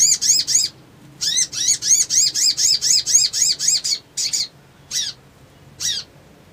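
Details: Ngriwik ngleper trotol song of a crimson sunbird, used as a provocation: a burst of arched notes, then a rapid run of about twelve buzzy high notes. Three slower spaced chips end the phrase.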